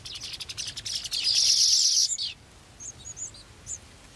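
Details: Golden sparrow chicks waiting to be fed, giving a loud, harsh, rapidly pulsed buzzing begging chorus for about two seconds. It then breaks off into a few thin, high, separate chirps.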